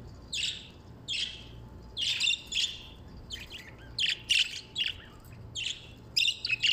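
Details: Budgerigars chirping: short bright rasping chirps and squawky notes in clusters roughly every half second to a second, with a faint steady low hum in the background.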